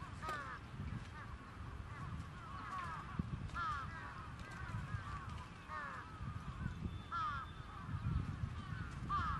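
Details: Crows described as trapped give repeated harsh, arched caws around the middle pitch, coming in clusters every second or two, while a steady low rumble and scattered knocks continue beneath.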